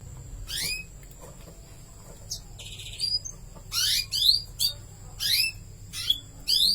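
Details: Canary chicks being fed by their mother: high, thin upward-sweeping chirps in quick bursts, growing denser toward the end, over a low steady hum.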